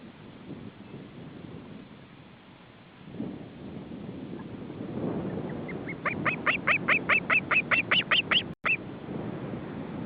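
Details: An osprey reacting to an intruder near the nest in July 2012, one day after the ringing: rustling and hiss, then a rising, accelerating series of about fifteen sharp notes building in loudness before breaking off.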